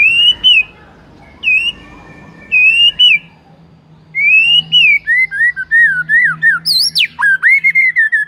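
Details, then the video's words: Shama song played to provoke rival shamas into full song: drawn-out wavering whistles separated by pauses, then a rich flowing phrase of slurred whistled notes ending in quick repeated chips. "Belum 1 MENIT di PANCING Murai manapun AUTO GACOR NGEPLONG mendengarnya"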